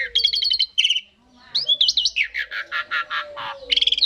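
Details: Asian pied starling song used to get other birds to sing along: clear chattering bursts of rapid repeated notes, a gap, then a sweeping whistle and a run of pulsed harsh notes, ending in fast buzzy chatter.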